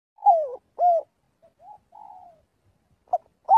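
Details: Spotted dove calling the flock during daily voice practice: low, soft coos, a loud two-part phrase with a dropping second note, then quieter short coos and a fading drawn-out note, ending on a fresh loud coo.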